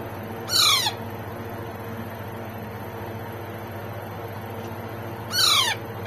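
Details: Young Alexandrine parakeet chick at feeding time gives two rasping, down-slurred squawks, one near the start and one near the end, with a constant low droning hum throughout.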